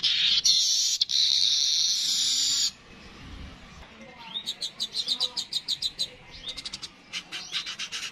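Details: Streaked weaver: a strong wheezy buzz, a pause, then a long series of sharp upswept chip notes repeated about three times a second.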